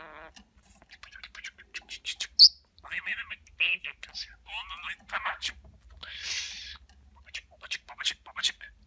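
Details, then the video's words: Pet talking budgerigar producing rapid, whispery, speech-like chatter in short syllable bursts, with a few sharp high squeaks mixed in, recorded indoors in quiet surroundings. "Konuşan Muhabbet Kuşu"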